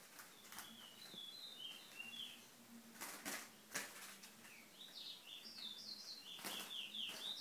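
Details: Chestnut-bellied seed finch (Sporophila angolensis) singing sweet, slurred whistled phrases that rise and fall rapidly, broken by sharp clicks and thumps and a low background hum.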